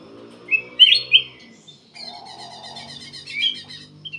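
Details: Black-capped bulbul singing persistently, used to lure other birds into song: a few loud liquid whistled notes, then a quieter stretch of rapid high chattering over a low buzz.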